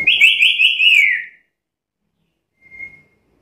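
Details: Black-capped lory calling with a rapid, rolling trill of repeated rising notes that slides lower at its end, then a quiet, brief pure whistle after a pause.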